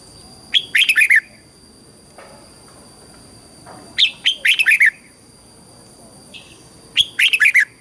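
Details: Red-whiskered bulbul song for training and exciting birds, southern Thai master style: three bright warbling phrases, each opening with an upswept whistle and dropping through rapid notes, spaced about three seconds apart.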